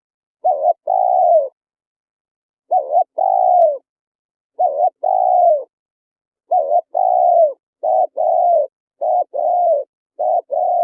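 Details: Spotted dove song for luring wild birds to a speaker trap: seven low phrases, each a dipping short coo followed by a longer falling coo, at first two seconds apart then quickening, on silence.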